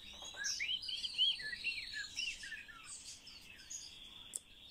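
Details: Whistled warbles and quick slurred notes from a common starling being taught to speak, loud at first, then thinning out to a sustained high tone and scattered chirps.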